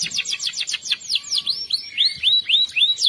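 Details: Canary singing in the morning, played as therapy to get silent canaries and young canaries to start singing: a fast series of descending high chirps, then slower repeated upward-arching whistled notes, evenly spaced.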